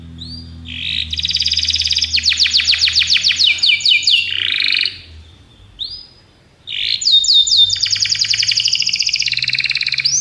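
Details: Training song of a Belgian canary: two phrases, each opening with a soft rising note then a fast dense trill of repeated sweeps and descending slurs, separated by a brief pause, with low background hum.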